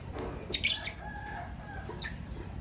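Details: Morning chirping from two lovebirds, Green Personata and Pastel White: a brief shrill burst of high squeaks, followed by softer, thin whistled notes at lower pitch, with a faint low hum behind.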